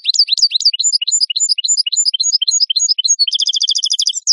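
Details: European goldfinch song recorded as a clean tutor track for captive birds: fast runs of high, sharp twittering notes repeated several times a second, ending in a dense rapid trill; no other sounds.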